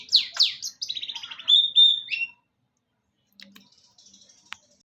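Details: Two swooping notes and a rapid buzzy trill ending in a thin whistle from a long-tailed shrike, followed by near silence with faint clicks.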